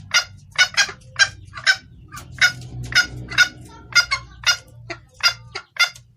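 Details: Hen junglefowl calling for a male, used as a clear lure call: loud, broad clucks spaced about half a second apart, a dozen in all, over a faint low rumble.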